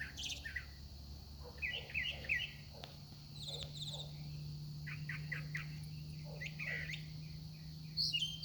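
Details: A very vocal songbird singing at sunset, never repeating itself, delivers varied short chirped and whistled phrases in quick succession, with a steady low hum and a constant high whine underneath.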